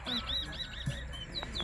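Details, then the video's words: Chestnut-bellied seed finch (towa towa) at a bird singing competition on the West Side, Guyana: rapid high arched whistles, about five a second, over a low background rumble and a brief thump. "Towa Towa Bird Singing Competition"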